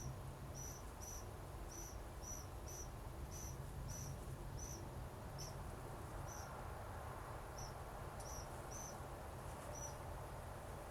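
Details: Wild Western Flycatcher nestlings on day 11 in a Pacific Northwest nest, feathers filling in, giving soft, high, thin peeps repeated about every half second, steady and evenly spaced over a low rumbling background hum.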